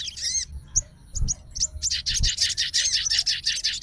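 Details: Fighter-style sooty-headed bulbul calling a rival: a few scattered bright, rising whistled notes give way to a fast, dense run of high chattering chirps, with low knocking sounds in the background.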